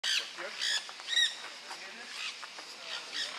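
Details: Nanday parakeet (Aratinga nenday) at Costanera Sur, Buenos Aires, Argentina, March 2022, giving harsh, grating squawks in short bursts, four or five in a few seconds, with quieter chatter between.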